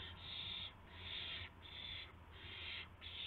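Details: Early-morning owls, 26 March 2016, around a prey delivery of a gopher and a mouse. Three loud, harsh hissing screeches, each about half a second long, separated by brief pauses.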